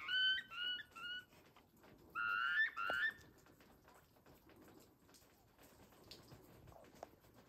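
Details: Wild turkeys at a ranch in Westbrook, British Columbia, recorded September 26, 2023: short bursts of rising whistled notes, then a fuller series of three, followed by quiet background rustling.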